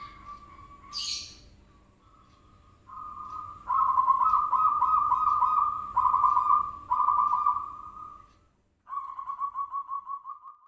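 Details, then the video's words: Zebra dove lure call meant to make birds answer: a series of loud, pulsing coos of steady pitch strung closely together, then a short pause and a final stuttering, rapidly pulsed coo. "Pancingan Perkutut Klik Langsung Nyaut"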